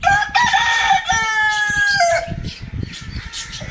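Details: Rooster crowing in the morning: a loud, harmonic cock-a-doodle-doo lasting about two seconds, with a drawn-out level middle and a falling end, followed by quieter clucking and chirping of other birds.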